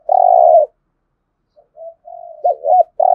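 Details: 'Giọng thổ' cooing from a spotted dove, used to prompt cooing: one loud sustained coo, a pause, then soft quiet coos building into two bending notes and another loud steady coo.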